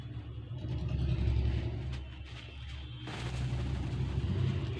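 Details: Low engine rumble of a passing vehicle that swells and fades, with no animal voices audible.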